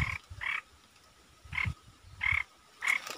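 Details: Red-eyed bulbul used as a caged lure bird, recorded 15 January 2022, giving short, bubbly mid-pitched notes, five in quick succession at an uneven pace, over a faint low rumble.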